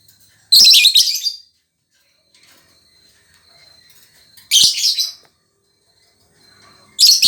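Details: Lovebird chirping: three loud, harsh, buzzy chirp bursts about four and then two and a half seconds apart, each under a second long, with near silence between them.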